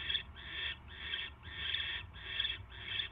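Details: Barn owl sounds from the nest on the night of January 22, 2016, mouse delivery: six rough, drawn-out rasping hisses in quick succession with short gaps.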